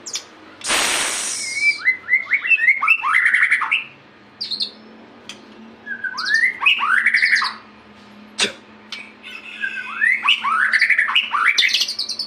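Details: White-rumped shama in active song: a loud noisy rasp opens, followed by several phrases of quick arching whistled notes, each phrase a cluster of rising and falling slurs with brief pauses between.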